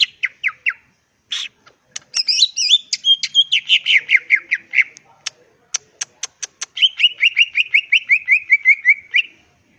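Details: Greater green leafbird (cucak ijo) singing in full voice, a varied song with rapid descending chirp series, whistled notes and sharp clicks, bursts repeated quickly with brief pauses, clean background.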